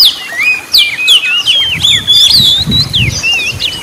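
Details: Oriental magpie-robin singing vigorously in the gacor ngobra style, used to provoke lazy magpie-robins into song: rapid varied whistles, sweeping up and down and trilled, crowded together with low thumping underneath from the middle onward.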